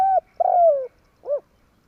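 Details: Spotted dove call used as a lure for trapping birds: two low, smooth hooting coos, the second longer and sliding gently downward, then a short, soft final coo after a pause. The background is quiet.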